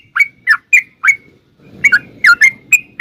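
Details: Sooty-headed bulbul, a bird kept to sing, giving spaced two-part chirps that drop then level off, about eight notes across three seconds with a soft low rumble in the background.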